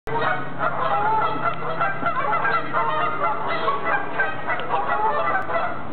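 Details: Noisy geese heard from a narrow boat on the Regent's Canal: dense, overlapping nasal honks and cackles without pause, with a steady low hum beneath.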